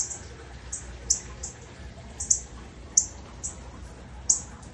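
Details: A Northern cardinal gives sharp, high, metallic chips, one every half second or so at an uneven pace, near a pet cat, over a soft steady background hiss.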